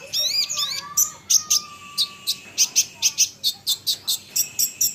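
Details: Olive-backed sunbird song to goad rivals into replying: wavering, slurred whistles and a thin level tone open the phrase, then a steady run of loud, sharp, high-pitched chips.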